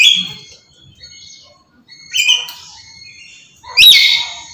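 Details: A black-capped lory calls nonstop with harsh, loud screeches in short bursts about every two seconds, each rising and grating, with near silence between.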